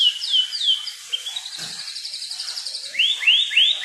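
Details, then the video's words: Wild kukluk bird delivering high, downslurred whistles, a buzzy rapid trill, then a series of bright upswept whistles in quick succession. "burung kukluk"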